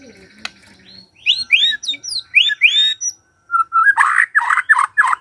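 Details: White-rumped shama morning song for stirring a quiet bird: a few rapid upward-sweeping whistles, a pause, then rough buzzy chattering bursts.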